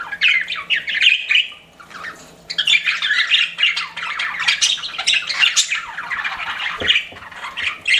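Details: Pet budgies chirping together in a busy, overlapping chatter of scratchy warbles and squawky notes, with a brief quieter lull near the two-second mark before the chatter resumes.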